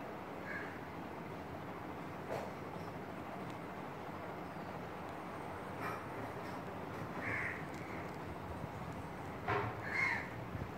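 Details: A female Asian koel perched close on a curry-leaf tree branch beside a window gives a few sharp, shrill bursts several seconds apart over a steady low rumble of background noise.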